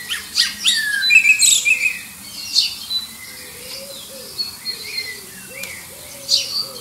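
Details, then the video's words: Common blackbird in song, competing for a mate with distant birds near Liverpool's airport flight path: quick high warbling and twittered phrases, then sparser notes over a lower, steadier background tone. "Song of the Black Bird"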